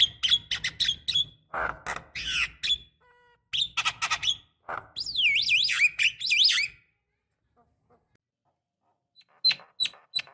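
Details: Calls of a female jalak kebo (Javan myna) meant to stir a male into song: dense harsh chattering and squawks, then wavering zigzag whistles, a quiet gap, and a few sharp chirps.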